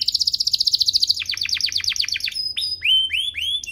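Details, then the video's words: Canary song for tutoring young canaries: a rapid trill of bright repeated notes, shifting to slower descending swept notes, then a few thin high whistles and rising looped phrases. "Suaranya MUDAH DITIRU, Efektif untuk Masteran Kenari Paud dan Pancingan kenari biar gacor"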